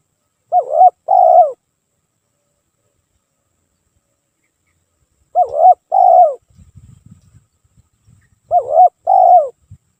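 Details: Spotted dove repeating its lure song: three two-part cooing phrases spaced roughly four seconds apart. Each is a dipping first note followed by a sustained falling purr, with faint low rustling in one gap.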